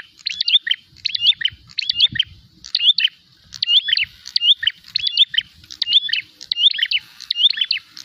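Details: Fighting prinia hunting for a rival: insistent series of loud, sharp chirp groups roughly every 0.7 seconds, clean and high-pitched, with faint low sounds behind.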